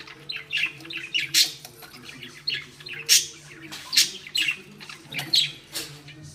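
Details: Irritated pet budgerigar hen pulling at a ball on a string gives loud harsh squawks mixed with quick high chirps, several each second at the peaks.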